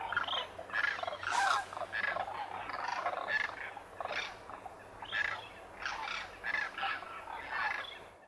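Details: Demoiselle cranes, locally called Koonj, wintering in their thousands at a lake near Khichan village in the Thar Desert, Rajasthan, India, after migrating over the Himalayas; a dense chorus of overlapping rough, trumpeting calls from many birds in continuous bursts.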